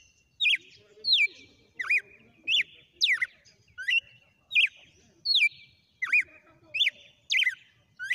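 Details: A wild red-cowled cardinal sings a sequence of whip-like phrases: a rapid series of loud, clear whistled notes that slide and whip downward, repeated about every two-thirds of a second.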